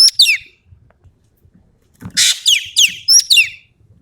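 Common Green Magpie giving shrill, steeply falling whistles in quick pairs, broken by one harsh rasping burst; otherwise quiet.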